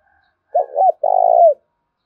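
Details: One clean spotted dove phrase used to provoke fighting: two rapid hooked notes, a brief pause, then a long buzzy held coo falling at its end.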